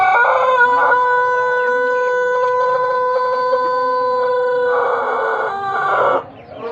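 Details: Pelung chicken crow from Plered, Purwakarta Regency: one long, loud, sustained rich-toned crow held steady for nearly five seconds, swelling near the end before breaking off abruptly.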